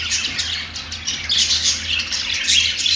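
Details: Budgie song: constant high raspy warbling with a few thin whistled notes, building louder in the second half, low hum beneath.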